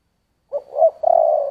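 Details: Spotted dove, giọng thổ song style, giving one phrase. A short low note and a rising swell lead into a long steady coo that is cut off at the end. No other sounds.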